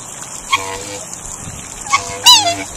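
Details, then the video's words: Black swan (Cygnus atratus) giving three short, nasal, honking calls with bright harmonics. Each call bends slightly downward, and they fall at about 0.5, 1.9 and 2.3 seconds. The last is the loudest, over a faint steady background hiss. "BLACK SWAN (Cygnus atratus) Bird Song"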